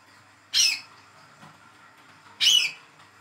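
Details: Young hand-reared olive-backed sunbird with spotted juvenile plumage, calling to prompt a silent bird to sing: two sharp, high chipping notes about two seconds apart over a quiet background.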